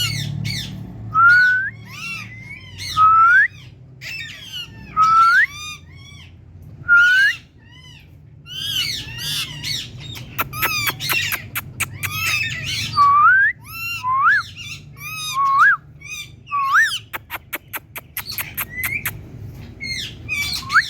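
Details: Talking female Indian ringneck parakeet, kept as a pet, calling with what is described as a natural cat-like voice: rising whistled mews mixed with harsh squawks and rapid clicks, repeated about every two seconds over a steady low hum.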